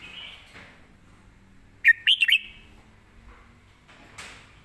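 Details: Caged red-whiskered bulbul singing live, its song praised as quick with good phrasing: one short burst of four rapid, warbled whistled notes around the middle, with faint, thinner chirps before and after and low background hum.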